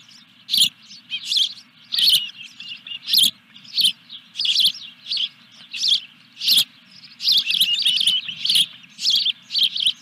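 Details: Osprey calls at a nest during a fish delivery at Dunrovin Ranch, 14 July 2021: piercing high chirps repeated in quick series, some notes stacked in short clusters, over a constant low background drone.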